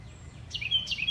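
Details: Bird singing: two quick high whistled phrases, each a sharp downward sweep settling into a thin level whistle, against faint low background rumble.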